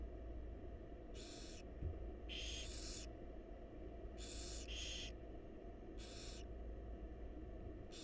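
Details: Begging hisses from wild barn owl chicks in a nest box while the mother feeds them: around seven harsh, breathy bursts, some in close doubles, over a faint low hum.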